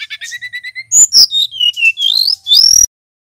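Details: Brown-chested jungle flycatcher, male, clear mastered song: a row of evenly spaced short paired notes, then loud slurred whistles sliding down and up, and a final rising buzzy whistle before silence.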